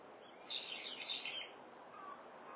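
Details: Morning call of a brown-eared bulbul, 17 October 2011, rendered pii-pyururi: a loud, strained, piercing phrase lasting about a second with a wavering end, then a faint softer note later, against constant background hiss.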